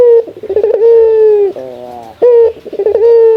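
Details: Local male dove (puter) in the morning, calling a rival, its voice described as luxurious: loud, steady, hollow coos holding one low pitch, broken by a wavering trill, then a rising coo.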